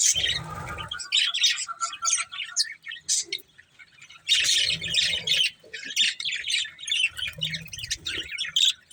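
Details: A budgerigar breeding pair gives rapid high chirps and squawky warbles in bursts, with a brief lull in the middle before the chatter resumes.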